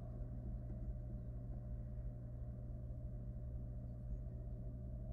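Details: A deep, steady engine-like hum and rumble with a constant low drone carries throughout, and no animal voice is heard.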